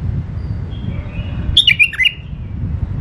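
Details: A caged pair of bulbuls, male and female. A sweet burst of quick, sliding whistled notes is heard over a steady low rumble.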